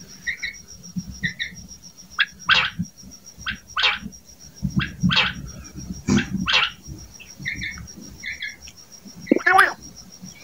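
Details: A wild female common quail gives short, harsh, rasping notes about once a second, mixed with soft paired chirps, over a steady high insect-like whine and low rumble.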